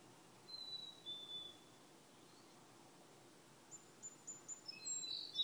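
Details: A Black-capped Chickadee whistles its clear two-note 'cheeseburger' song, the second note slightly lower, followed by a burst of high, quick chips from another bird.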